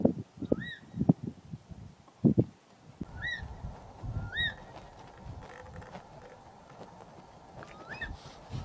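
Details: An unhappy martial eagle, perched in the same tree as a leopard, gives four clear, rising yelps spaced a few seconds apart, over low rumbling background noise.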